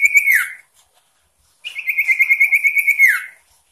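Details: Sooty-headed bulbul in persistent, lively song, used to provoke rival birds into responding: a level whistled note that drops away, a pause, then a long even trill of rapid repeated whistles ending in a falling slur.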